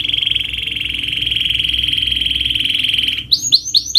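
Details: Canary song used to stimulate a bird that will not sing: a long steady buzzy rattling trill lasting about three seconds, followed by quick high swooping notes.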